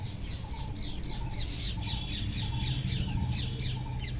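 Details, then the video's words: Wild parrots eating, giving rapid harsh squawking calls about three times a second, with steady low rumbling noise underneath. "wild parrots // eating talking // natural sound"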